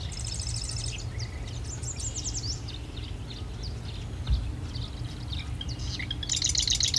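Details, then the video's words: Marsh wren uttering several rapid, reedy, stuttering trills at high pitch, the last one buzzy and harsh, with soft low background noise throughout. "Marsh Wren - Song & Call"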